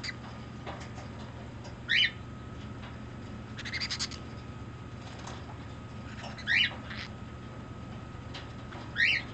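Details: Green-cheeked conure kept as a pet, acting affectionate and demanding: brief harsh high calls, one near the start, a soft rustle, then two more squawks toward the end, over constant low hum.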